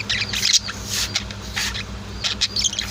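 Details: Indoor pet budgies and lovebirds give scattered bursts of high, scratchy chirps and twitters, several separate flurries spread through the recording over a constant low electrical hum.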